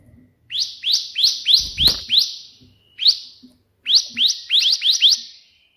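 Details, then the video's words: Bar-winged prinia singing continuously in the burst style called 'tembakan', meant for training birds: runs of rising chirps about three per second, a brief thump midway, then a further cluster of quick notes. "burung ciblek gacor versi tembakan perenjak putih"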